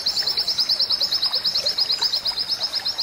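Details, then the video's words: A white-eye sings a high, thin, fast chattering trill pulsing about seven times a second without a break, over a soft background hiss; used as a master song for training pet white-eyes. "Pleci ChaCha"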